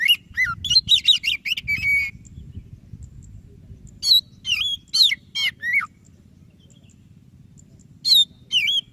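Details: Oriental magpie-robin of the white-breasted form in full, vigorous song, meant to prompt reluctant birds to sing: a rapid cluster of varied whistles and trills, a quiet gap with low hum, then spaced loud whistled phrases.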